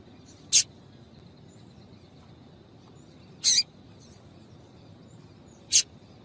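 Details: Sparse, loud, high single chirps from a female Double-collared Seedeater, a call aimed at stimulating male song, arriving roughly every three seconds in a quiet background.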